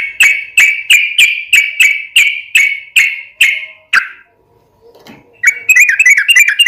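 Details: Yellow-vented bulbul in vigorous song used as a lure to make other birds reply; a steady series of nine clear, slightly descending whistled notes about every half second, a pause, then a fast bubbly chatter.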